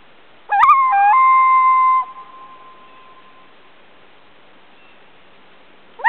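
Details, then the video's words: Loon calling on a small lake near Ely, Minnesota, August 2006. A quick rising swoop leads into a stepped, mournful held note lasting about a second, then a long fading echo and quiet. Another rising call begins at the very end. "Loon calls"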